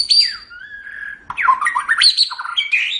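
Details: White-rumped shama (murai batu) song for training cage birds: a high whistle dropping to a steady note, then rapid jumbled warbling with rising and falling whistled sweeps.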